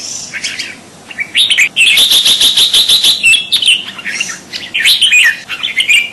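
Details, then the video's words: A crested bulbul (kutilang jambul) gives a loud, busy run of bright chirps and short bubbly whistles, packed closely with barely a pause, over a faint background hiss. "Suara Burung Kutilang Jambul"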